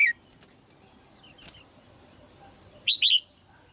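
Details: Female red-whiskered bulbul in a cage in Thailand, calling to stimulate a young male to sing; one quick phrase of three sharp chirps near the end, with a brief note at the start and soft background noise.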